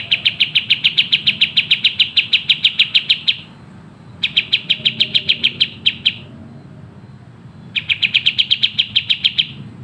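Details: Sooty-headed bulbul in dense 'tembak' song, a training recording for cage birds: long runs of quick, sharp, evenly spaced high chips broken by brief silences, then resuming.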